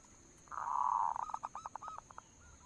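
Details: Local zebra dove lure song: a long purring, cooing note near one pitch, then a run of short, clipped coo notes spaced evenly and fading, over a steady faint background hum.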